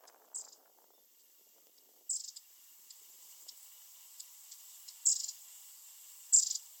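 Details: Long-tailed tit (Shima-enaga), birds flitting about very rapidly; four short, very high, thin bursts of calls spaced about one to three seconds apart, with faint softer ticks between and a quiet background.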